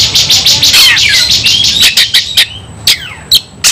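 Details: White-rumped shama in a fighting bout, rapid dense song of sharp high chirps and descending whistled sweeps, many brief loud notes in quick succession, a steady high tone running throughout.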